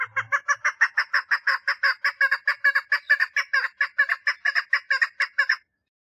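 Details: Mating call of a female chukar partridge: a continuous rhythmic string of about twenty-five throaty chuck notes at a brisk even pace, stopping abruptly before a short silence.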